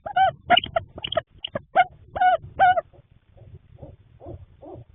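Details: Barred owl pair at a nest box at night in March 2026, the male bringing late-night food to the female incubating three eggs; a burst of loud, harsh, barking hoots in quick succession, then softer scattered notes.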